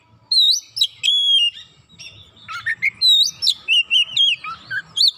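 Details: White-rumped shama song used to provoke other shamas into singing: rich varied phrases of clear whistles, sliding notes and rapid chattering trills, loud and nearly continuous with short pauses between bursts.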